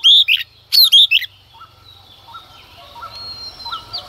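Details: Early-morning song of a female Oriental magpie-robin meant to stir up males: two bright bursts of whistled, slurred notes in the opening second, followed by faint, evenly spaced chirps and distant whistles.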